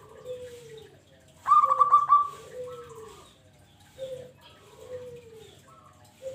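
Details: Zebra dove used as a trapping lure: low, soft falling coos interrupted by a quick staccato burst of higher ringing notes, then more gentle coos spaced about a second apart.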